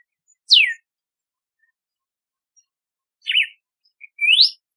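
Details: Red-cowled cardinal, known locally as galo de campina or cardeal do nordeste, singing three clear whistled notes: a steep falling slur, a short wavering phrase, then a rising upslurred whistle, with silent gaps between on a quiet background.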